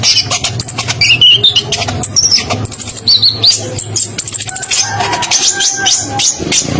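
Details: Konin, an Indonesian songbird, spotted and in full song, used as a training recording for other birds: dense, fast high-pitched notes with sharp shots, rising whistled phrases and long rolling trills, with a steady low hum beneath.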